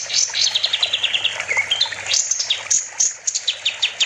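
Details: Master recording of a kapas tembak bulbul in full voice for tutoring other songbirds: dense, jumbled high chirps and whistled slurs, followed by quick sharp notes repeated several times a second over a faint steady hum.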